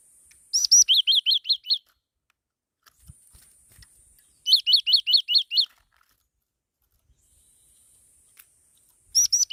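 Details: A black-throated laughingthrush repeats one phrase: a high rising note, then five or six rapid, clear chirps that rise and fall. The phrase comes three times, about four seconds apart, over a faint constant whine.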